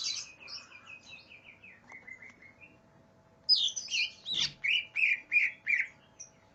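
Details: Aggressive greater green leafbird looking for a rival: a soft, quick descending chain of twittered notes, then a louder series of clear, bouncy, evenly repeated chirps after a sharp click. A low hum stays in the background.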